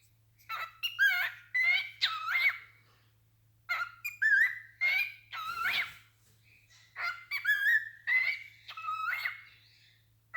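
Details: A moody male pet cockatiel sings on cue right after a tantrum, giving a warbling run of whistled notes that slide up and down in short bursts.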